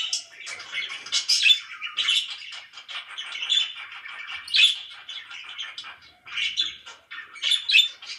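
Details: Pet budgerigars chirping loudly: dense, scratchy twittering chatter with bright buzzy bursts and short squeaky notes, rising and falling in irregular waves without pause.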